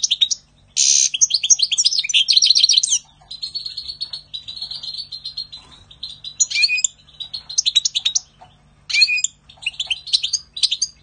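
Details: Vigorous European goldfinch song recorded in spring 2020: a harsh buzzy burst opening into fast liquid twitters, a sustained run of high buzzy notes, then further sharp, tumbling twittered phrases.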